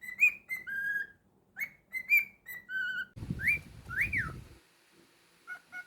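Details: Pet cockatiel indoors whistling a series of clear phrases: short rising notes, level whistles and falling slurs, with a few quick rising-falling sweeps midway over a burst of low rustling.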